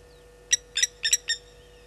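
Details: Blacksmith lapwings at Gowrie dam waterhole, Djuma Game Reserve, Sabi Sand, South Africa, at 10:50 on 30 July 2020, giving four sharp, metallic anvil-like clinks, the middle ones doubled, in alarm at a slender mongoose; faint steady hum underneath.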